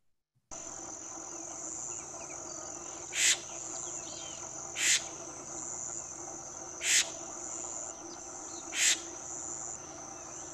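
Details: An adult Florida Scrub-Jay, possibly older, gives four harsh, raspy calls about two seconds apart, alerting its group that something is going on but not really agitated, over a steady high-pitched insect drone.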